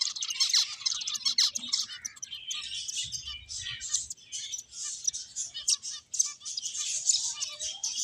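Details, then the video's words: Finches at play give a dense, overlapping stream of short high chirps and twittering notes, several birds calling at once with hardly a pause, some notes sliding downward. "Cute Birds Chirping Sounds | Beautiful Finches Playing"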